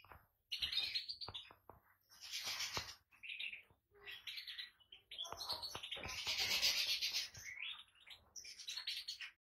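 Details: Captive European goldfinch in full song: fast, dense runs of liquid twitters, buzzy trills and high chattering notes delivered in long bursts with short gaps between them.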